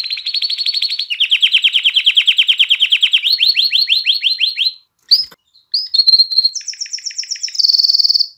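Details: Canary song for exciting hens to mate and motivating young to sing: long pulsed rolls at steady pitch, then slower stroked notes. A brief break follows, then whistles and a high, very rapid trill.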